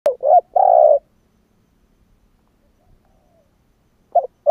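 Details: Spotted dove giving a cooing phrase: two short hollow coos, then a longer, rough, purring coo. A second phrase starts after about three seconds of silence. The background is quiet.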